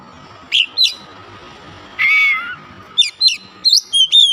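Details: Oriental magpie-robin, kept bird, song: short bright whistled notes, a longer slurred whistle midway, then a quick series of sharp rising and falling whistles over a quiet background.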